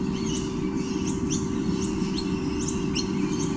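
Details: White-bellied sea eagle chicks on a nest cam, 12 October 2015, squonking at something off-camera: thin, high, upward-sliding squeaks in quick irregular bursts, several each second, over a steady low rumble and hum.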